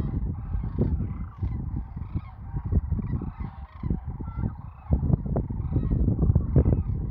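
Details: Large gathering of sandhill cranes during the annual spring migration near Wood River, Nebraska, many birds calling together in a continuous layered chorus of rattling, trumpeting notes, with heavy low-pitched background rumble throughout.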